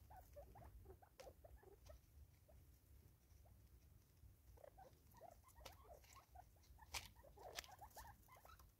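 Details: In South Africa in 2024, five Natal spurfowl eat together with rhythmic sounds: soft short notes in scattered runs, quieter midway, plus bright clicks and taps over a low hum.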